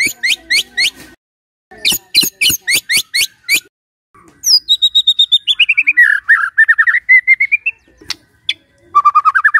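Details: Caged white-rumped shama singing: bursts of rapid clicking notes, then a long descending series of pulsed whistles and a rising trill.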